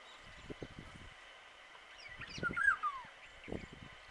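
An Indian golden oriole gives one brief, liquid, fluty phrase that slides down at the end, over low rumbling thumps and a steady background hiss.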